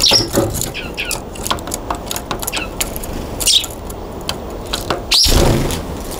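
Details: Eurasian tree sparrow on a balcony in January gives scattered short, bright chirps, a few sharp notes over six seconds, against steady traffic rumble and a faint squeal.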